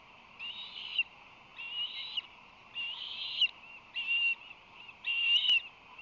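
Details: Ospreys at a nest with three fledglings aged 58 to 61 days, beside a museum ship, on July 8, 2020: five drawn-out, strained whistled calls about a second apart over a steady background hum.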